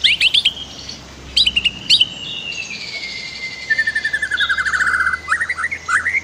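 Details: White-rumped shama master song for training other birds: sharp high notes, then a long, smooth descending whistle, followed by a fast stuttering trill and rising chirps.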